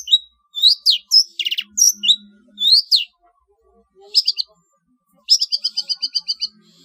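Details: Trotol-style long-tailed shrike training song for competition birds: varied high whistles and sharp downslurs, a pause, then a quick, evenly spaced series of about eight bright chirps.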